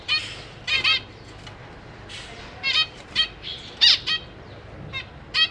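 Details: Captive zebra finch family with young recently out of the nest; repeated loud nasal honking calls, often doubled, spread across the recording with quiet gaps.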